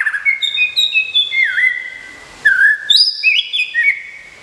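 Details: Song of a caged White-rumped shama, a contest winner from Kebumen, Indonesia, during moult: clear whistled phrases sliding down in steps, a pause, then brighter high whistles leaping up and falling back.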